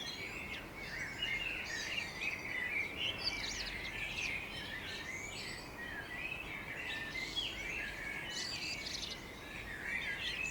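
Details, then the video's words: Morning birdsong on the outskirts of Budapest, Hungary: a dense chorus of many overlapping birds, with high chirps, trills and twittering notes running continuously, fairly quiet and even in loudness, over a soft steady background hiss. "Morning Birds Chirping Sound"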